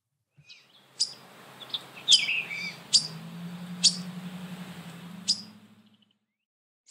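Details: A waterthrush gives a call rather than a song: five sharp, high, metallic chips, spaced about a second apart, with a few softer squeaky notes between them over a faint low hum.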